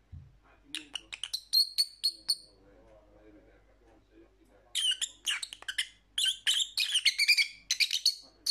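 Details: Lovebird calling in bursts of sharp, high chirps and squeaks, a quick series early on, then a quiet gap with faint low murmurs, then a dense run of rapid chattering notes.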